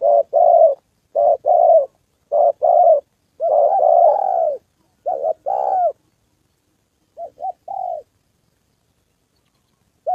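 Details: Spotted dove decoy in a training session in Gia Lai, Vietnam, 2 September holiday: brisk runs of short-then-long coos, one drawn-out phrase in the middle, growing quieter and sparser toward the end.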